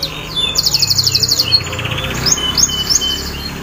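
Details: Canary song used as a lure to get a silent canary singing: falling whistled slides, then a fast buzzy trill of repeated notes, more rising whistles and a second rapid trill.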